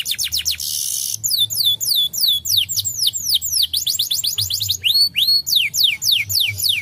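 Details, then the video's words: Canary singing as a lure to get lazy canaries to answer: a brief burst of rough, broadband noise, then strings of swift falling whistles, a pair of rising arched notes, and more quick descending slurs. "PANCINGAN KENARI AMPUH! Kenari malas langsung nyaut"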